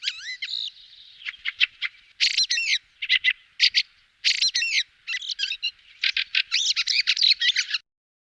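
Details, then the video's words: Fieldfare (Turdus pilaris) calls used as a hunting lure: harsh, squawky chattering bursts delivered in tight clusters of several notes, broken by short pauses, with no other sounds. "أفضل وأقوى صوت كيخن للصيد Best Hunting Sound of Fieldfare"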